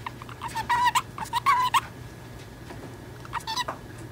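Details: A 10-month-old pet female budgerigar talks in quick, buzzy, slightly nasal fragments, several short bursts in the first two seconds and a few more near the end, mimicking the speech of a companion budgerigar.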